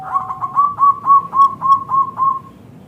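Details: Zebra dove of local stock, used as a lure to make other zebra doves respond: a run of nine soft, mellow coos, each rising then dipping, spaced about a quarter second apart, fading at the end.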